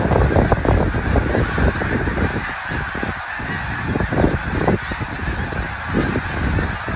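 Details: Migrating snow geese in Delaware, USA, heard as a massed chorus of rapid, overlapping honking calls, many per second, loudest at the start, forming an unbroken wall of goose voices over low rumble.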